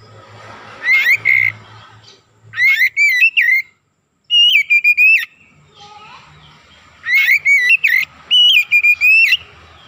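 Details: Oriental magpie-robin singing, used as a lure to rouse other magpie-robins: four groups of bright whistled notes with quick rising slurs, spaced by gaps, over a faint low hum and a brief murmur.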